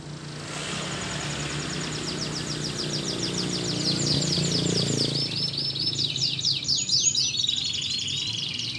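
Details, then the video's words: Canary singing behind steady low rumbling background noise, a lure recording for canaries that have stopped singing; thin high rapid trills run throughout, becoming louder and more varied with buzzy notes in the second half. "PANCINGAN BURUNG KENARI GACOR ADA JEDA"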